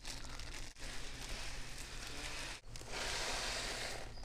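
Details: Continuous crinkling and rustling noise with a low steady hum, briefly interrupted twice by short drops in sound.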